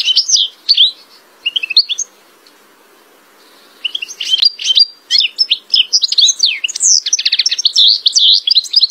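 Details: European goldfinch in full song: high, tinkling twitters and liquid trills, a brief pause, then a long rapid run of bright chirping notes.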